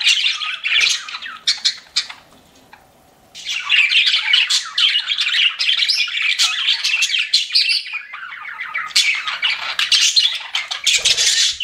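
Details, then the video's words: Pet budgies chatter in busy scratchy warbles, fall almost silent for about a second, then resume a dense stream of squeaky chirps and rasping notes. "CUTE PET BUDGIES CHIRPING"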